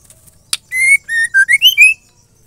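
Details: Female white-rumped shama song, used to stimulate males to sing: after a sharp click, six clear whistled notes, the first long and level, then dipping lower before rising in quick steps to a higher final whistle, in near silence.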